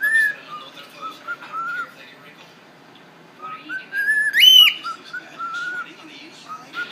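A cockatiel sings a run of clear, sliding whistles with a loud rising phrase midway.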